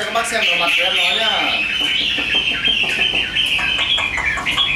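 A Chinese hwamei sings a bright, busy run of high whistled and chattered notes, with a man talking over the first part.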